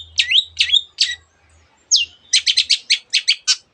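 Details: Cendet, the long-tailed shrike, delivering borrowed phrases from canary and other birds: slurred whistled notes, a downward sweep, then a fast run of rapid repeated chirps near the end.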